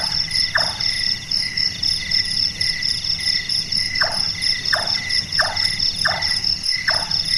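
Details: Carpenter-like knocking of a night-active Large-tailed nightjar: one chonk, a pause of several seconds, then a run of five evenly spaced knocks, all over a dense high insect drone.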